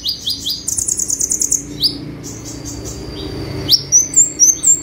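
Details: Olive-backed sunbird, locally kolibri ninja, singing 'tembakan' bursts for a master recording: a few sharp upward sweeps lead into a rapid buzzy trill, then scattered thin high notes and a final string of short chips.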